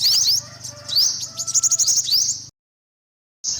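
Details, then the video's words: Olive-backed sunbird giving high, sharp rising notes and a quick chatter, then a second of silence before a short high burst returns. "tiếng chim hút mật 5 màu bụng vàng"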